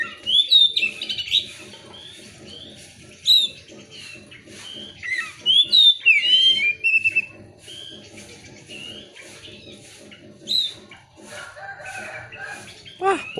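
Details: Oriental magpie-robin (kacer) lure song meant to provoke other magpie-robins to sing: rapid sharp whistled notes and slurred phrases in bursts, against a steady background hum.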